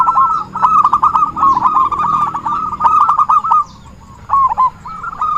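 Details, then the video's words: Zebra dove sound used as a lure for trapping: rapid staccato cooing trills held at one mid pitch, strung in dense bursting phrases, then a pause and two short final phrases. "suara burung perkutut buat pancingan || suara pikat perkutut"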